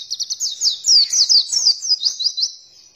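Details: Oriental white-eye lure song, used to make birds open their beaks and sing; dense, high-pitched twittering of rapid downslurred notes that fades toward the end.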